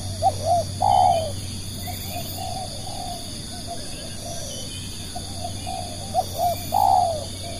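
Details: Spotted dove lure calling, two phrases about six seconds apart, each short coos leading into a long falling coo, with soft repeated low notes between them and a steady hum behind.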